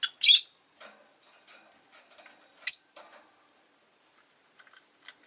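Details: ['Rosy-faced lovebirds, five kept in a cage by a window on a relaxed afternoon: two loud, harsh, high chirps about two seconds apart, with softer chattering between them.']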